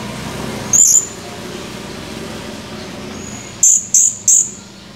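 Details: Blue-crowned hanging parrot, a male, recorded 17 July 2020: one thin, very high-pitched squeaky note, a pause of nearly three seconds, then three more short shrill notes in quick succession, over a faint steady background hiss.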